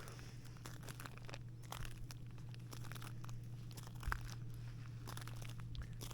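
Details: A walk in winter in Masuria, Poland, with crunching footsteps and crackles over a constant low electrical hum.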